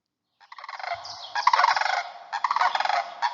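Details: Greater sandhill cranes that nest in the Yampa Valley of northwest Colorado give loud, rolling, rattling bugles in overlapping pulsed bursts, contact calls keeping family members together in groups and in flight.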